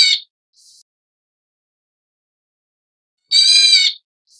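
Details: Leucistic Black Bulbul (Hypsipetes leucocephalus nigerrimus), Taiwan endemic subspecies, gives a nasal, cat-like mewing call over half a second long, with a few faint high chips before and after.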